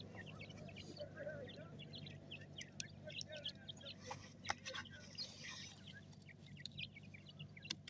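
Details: Francolin chicks feed in a forest, giving scattered short high chirps and peeps throughout, mixed with sharp clicks and rustles, over constant low-pitched background noise.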